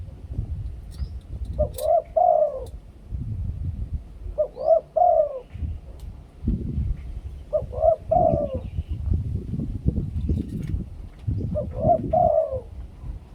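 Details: Decoy spotted dove in the Thai two-kuk 'khu-ang' song style, cooing four phrases about three seconds apart. Each phrase has two quick hooked notes and then a drawn-out, gently falling coo, with steady low rumble behind.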